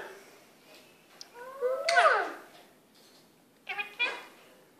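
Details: A pet Indian ringneck parakeet, female, indoors, talks while a person speaks to it: short rising and falling harmonic calls around two seconds, then a brief chattering burst near the end in a quiet small room.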